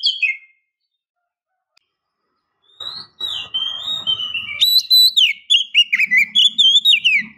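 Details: Whistled calls of a female Oriental magpie-robin luring a male. A brief falling whistle is followed by a pause, then a long series of sweet, slurred notes that rise and fall, with faint low rumbling noise underneath.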